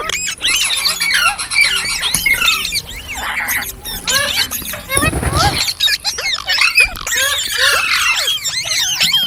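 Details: Several green parrots calling at once, dense high squeaks and chirps with short whistled sweeps, broken midway by a brief burst of harsh noise.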